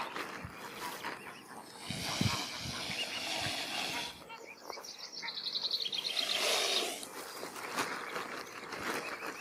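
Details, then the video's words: Mute swans with cygnets hiss while being fed, in breathy, rasping bursts: two longer spells a few seconds apart, with faint chirps and outdoor background noise. "Swans Hissing"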